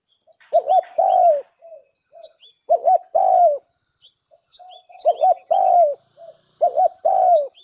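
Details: Spotted dove call used as a lure: repeated coo phrases, two quick rising-falling notes then a longer drawn-out falling coo, with soft short notes between, phrases roughly every two seconds; faint higher chirps of other birds.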